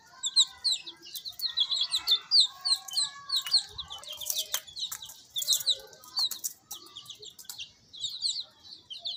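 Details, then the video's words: Several baby chicks chirping together: dense, high, thin peeps, many short rising and falling notes overlapping continuously, with a few softer lower clucks beneath. "Baby chicks chirping sounds"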